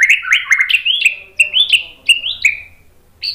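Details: Training song of a White-rumped shama, played to stir another bird to reply: a string of short upslurred whistles and chirps, repeated at an uneven pace with sharp clicks between.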